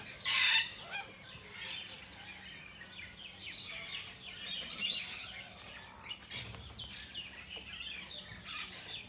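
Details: Sulphur-crested Cockatoo in Australia: a loud, raw, rasping screech in the first second, then fainter harsh squawks every couple of seconds, with other birds chirping behind.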